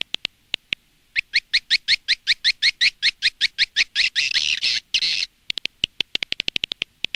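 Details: Edible-nest swiftlet lure sound, Indonesian style, for attracting birds to a nest house: scattered clicks, a steady train of high twittering chirps, a buzzy burst, then rapid clicking.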